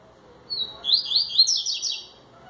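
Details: A 'tui tui zel zel' song from a coleiro baiano, opening with a clear drawn-out high whistle and breaking into rapid, jerky, buzzy phrases that rise and fall for about one and a half seconds.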